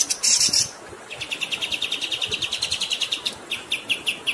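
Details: Kapas tembak, or Grey-headed Canary-flycatcher, in a long-running tutor song: a short harsh, hissy burst, then a steady train of quick, high, clipped notes about five per second, set against running water.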